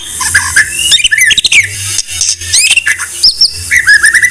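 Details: White-rumped shama master song, a loud rich run of varied whistles, slurred rising and falling notes and sharp chips, ending in a series of quick repeated whistled notes, over a low steady hum.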